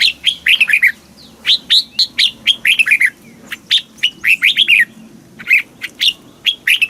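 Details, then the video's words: Red-whiskered bulbul song from Thailand in the southern master style, played to excite caged birds and teach young ones: bright whistled phrases of quick, downslurred and rising notes in rapid clusters, pausing briefly between bursts, over a faint low hum. "เสียงนกกรงหัวจุก สำหรับต่อ หรือ เปิดให้นกคึก"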